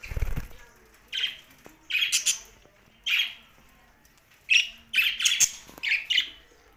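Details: Budgies chirping with short harsh squawky notes, some doubled, scattered irregularly and growing busier toward the end; a low thump opens the clip.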